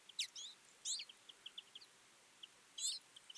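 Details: Several Twite in a winter feeding flock: sharp high twangy calls at the start and end, with a run of short soft chirps in between.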